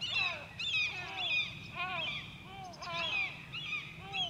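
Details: White-tailed eagle, Grönvik, Ornö, 16 July 2024: shrill, bent yelping notes tumble out rapidly, nearly two a second, some overlapping and layered, in a fairly quiet setting.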